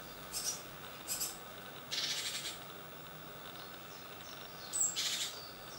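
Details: Young great tits from a second brood fledging at 7 am from a nest box on a balcony; short hissy, broadband chirps sound at irregular intervals, one longer raspy burst near the middle, over a steady low background hum.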